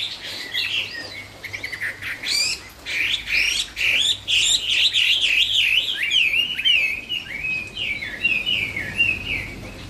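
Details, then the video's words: Extended 'cao cầu' song of a Chinese hwamei, a long torrent of loud looping, bouncing whistles and trills that barely pause, easing off near the end over a faint low hum. "Trong rừng có cây Thông mọc thẳng, con chim hót cũng thẳng " Họa mi cao cầu""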